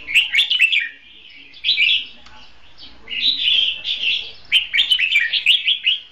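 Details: Decoy red-whiskered bulbul giving duelling song used to lure birds into a trap; short bubbly whistled phrases of clustered chirps, four bursts separated by short pauses.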